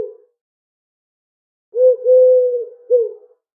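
A pigeon gives a soft, low cooing phrase: a brief note, a longer sustained coo, then a final short one, with nothing else heard.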